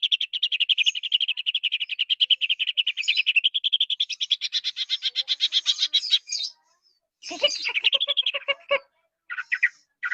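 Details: Greater green leafbird producing a long, steady, very fast trill of repeated notes lasting about six seconds, followed by a lower buzzy phrase and short chirped bursts.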